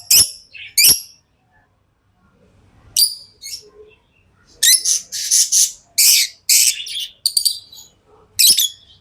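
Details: Pet lovebirds chirping: scattered shrill single chirps, then a dense middle stretch of harsh, rasping chatter, and a final piercing chirp, with quiet gaps in between.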